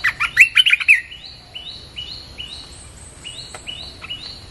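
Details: Red-whiskered bulbul song used to lure wild birds: about a second of loud, rapid chattering whistles, then a steady series of thin rising notes repeated roughly twice per second in a quiet background.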